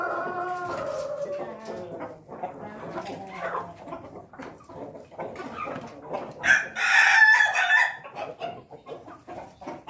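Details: Pelung rooster crow: scattered clucks and calls among other fowl, then a loud, rough, strongly harmonic crow bursts out near the end, lasting just over a second before fading into murmuring background.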